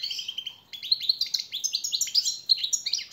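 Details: Continuous European goldfinch song meant to teach captive birds: fast, liquid, twittering high notes with slurred rising and falling chirps.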